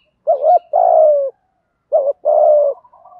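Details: Spotted dove giving 'thúc gù' coos in the 'thổ' voice, meant to make newly caught captive doves coo quickly. Two phrases, each a clipped double note and then a long, smooth coo sliding gently downward.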